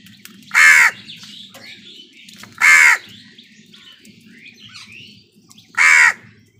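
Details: While crows contend with wild birds for food, three rough, grating caws ring out about two to three seconds apart, and faint chatter from smaller birds sounds between them.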